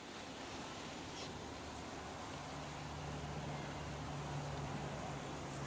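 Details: Steady broadband roar of passing vehicles with a low droning hum and no animal voices.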